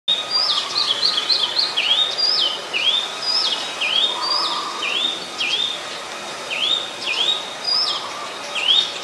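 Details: Oriental magpie-robin (Copsychus saularis), a resident bird recorded on a Nikon P1000 at Ubon Ratchathani, Thailand, on 7 January 2021. It gives a lively run of clear, high whistled notes, slurred up and down and repeated in quick phrases, with softer lower warbling beneath.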